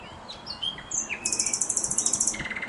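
A common nightingale sings varied whistles, then a fast, high, rattling trill of repeated notes.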